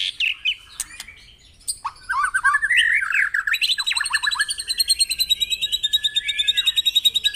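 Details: Caged-bird stimulation recording of white-rumped shama song at morning dew exposure: a few sharp chips, then a bubbling run of whistled notes leading into a long fast series of repeated high notes.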